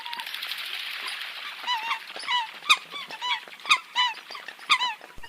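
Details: A soft hiss opens the recording, then Eurasian coot calls take over: short, bent, squeaky honks about once a second, with a few sharper clicks between them.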